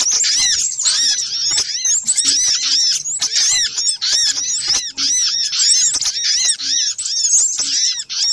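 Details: Little spiderhunter, an agitated ('ribut') lure-call compilation: dense overlapping chorus of high, thin arched squeaks, chattering without pause across the whole stretch, with brief dips between bursts.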